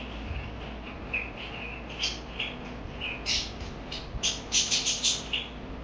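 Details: Parakeets chirping, a dense run of short bright chirps and squeaky notes that build toward the end into a rapid burst, against faint steady background hiss.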